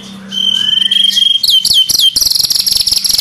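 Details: White-rumped shama, fighting-style song: a long thin high whistle, then a few sharp downslurred notes, breaking into a fast, dense buzzy rattle of repeated notes.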